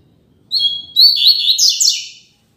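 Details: Classic Tui Tui Zel Zel song of a Double-collared seedeater, a tutor song for young birds: a brief pause after an opening note, then a chattering, buzzy high phrase that swells and ends abruptly in silence.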